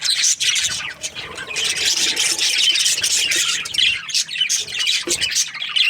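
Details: Morning budgie chatter, a thick blend of squeaky chirps, squawks and twittering from many birds, continuous and fairly even in loudness.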